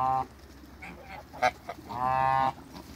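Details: Geese of African and Toulouse breeds in a backyard, paired to produce a hybrid, give a short honk, then a longer drawn-out nasal honk lasting half a second, with small clicks between.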